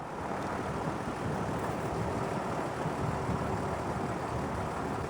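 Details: Steady engine and vehicle noise drones throughout, with no animal voice.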